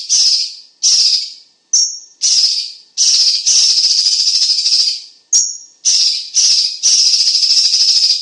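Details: A cucak cungkok, used as a tutor for competition songbirds, gives loud, tight song: high grating bursts repeated about every half second, with two brief thin whistled notes slipped between them.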